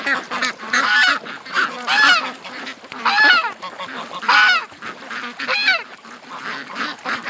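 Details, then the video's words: Morning rush of ducks heading from their pen to the creek after a delayed release. Loud, separate honking quacks come in bursts about once a second, with quieter chattering between them. "Ducks At The Creek Morning Rush"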